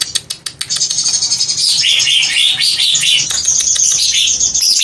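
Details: Greater green leafbird song opening with several sharp clicks, then settling into a continuous, rapidly repeated chattering warble of high, scratchy notes with rising and falling slurs.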